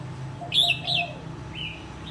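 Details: Wild-caught caged red-whiskered bulbul, kept one year and now fit for singing contests, gives two short bright chirping phrases in quick succession, then a softer slurred note, over a low steady hum.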